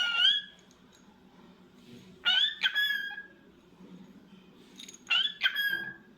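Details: Pet cockatiel calling in bursts: whistled, harmonic notes with a rising then falling contour, given about every two and a half seconds, with a low hum in the background.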